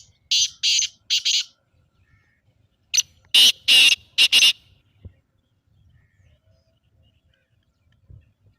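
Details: Black francolin, played to get a pet partridge calling: three short harsh notes, a pause, then a louder phrase of a clipped note followed by three longer raspy bursts, then near silence.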